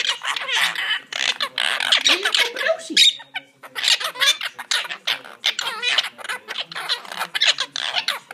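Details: A caged pair of monk parakeets chatter with broad, raspy squawks. One drawn-out sliding note cuts in midway, followed by a short quiet gap and renewed quick scratchy calling.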